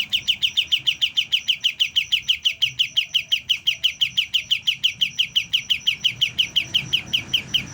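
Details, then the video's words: Young white-eye just beginning to learn its song: a fast, steady series of short, high, sharp chirps, about three each second, running without pause throughout over a faint low indoor hum. "BURUNG KAPAS TEMBAK MUDA, mulai belajar bunyi"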